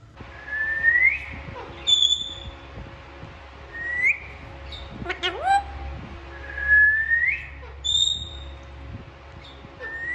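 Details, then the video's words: Alexandrine parakeets talking and playing indoors; clear whistled notes sliding upward, repeated roughly every three seconds, with a few high steady tones and a short burst of clicks in between, over a low hum. "Alexander parrots talking and playing | natural sounds of parrotd"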